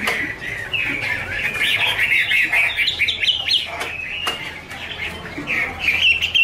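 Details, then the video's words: Chinese hwamei female singing with a male in the background, kept bird: a dense, continuous stream of varied whistled and chirping phrases, steady and busy throughout. "Chim hoạ mi: Mái te đỉnh cao của năm _ có chim trống làm nền"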